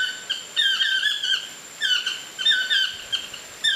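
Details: Chestnut-mandibled toucans in trees by a bungalow at Lapa Rios Ecolodge, Osa Peninsula, Costa Rica: three phrases of loud yelping, downslurred, harmonic notes about a second apart, over a constant high-pitched whine.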